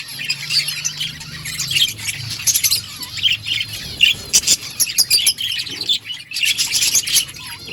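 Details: Budgies chirping in lively high warbles and sharp tweets, broken into clustered bursts, over a low steady hum.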